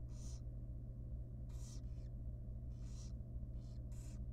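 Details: Super tiny wild barn owl nestling begging at feeding time inside a nest box, with five noisy hissing screeches, a couple paired closely, and a continuous low electrical hum.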